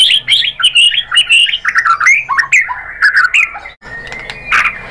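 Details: White-rumped shama song used as a lure to draw other shamas into singing: rich, varied run of warbled and whistled phrases jumping between high and mid pitches, delivered quickly without pause, then a brief cut to a thin sustained note.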